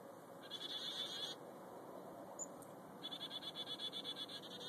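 Chickadee calls: two bursts of rapid, buzzy, high notes, each burst about a second long, over a steady hiss of background noise.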